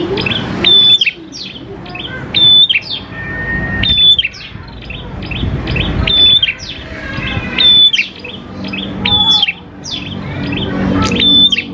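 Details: Energetic prinia song, known as prenjak klawu, played to lure prinias into singing: a long run of chirpy phrases, each with a bright flat whistle, repeated about every one and a half seconds, with soft background rumble.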